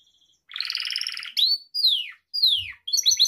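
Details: Gloster canary song from a pet bird: a harsh buzzy roll followed by three separate long descending whistles and a quick twittering trill at the end.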